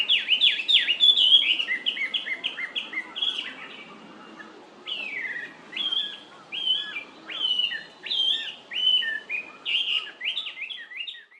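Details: A Chinese hwamei recorded at close range in Japan on May 19, 2019, where bush warblers and narcissus flycatchers may also be heard, sings a loud, varied run of clear whistled phrases, some repeated quickly, with slurred rising and falling notes and a brief pause midway.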